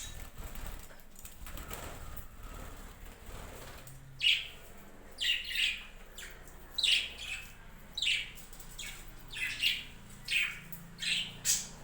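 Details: Budgerigars kept on a budgie farm: short, bright chirps repeated roughly every half second to second in the second half, over a steady background hiss and some wing flapping early on.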